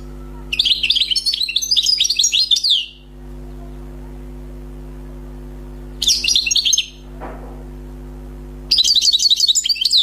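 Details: Newly caught wild European goldfinch gives three bursts of fast, high, liquid twittering song, each one to two seconds long, separated by pauses, over a faint constant low hum.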